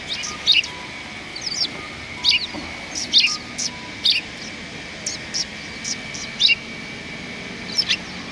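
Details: Outside a cultural hall on 7 February 2020, sparrows arriving in greeting give clear, separate high chirps about every second, some doubled, over a soft steady hum and a few faint low tones.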